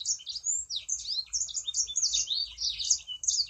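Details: Sangihe shrike-thrush singing energetically to encourage other birds to sing: quick, high, slurred whistles and chirps, rising and falling in a dense chattering run, with light low rumble behind.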